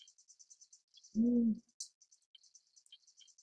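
A single deep, slightly arched hoot from a Tawny Fish Owl, lasting under half a second, over steady high-pitched insect chirping.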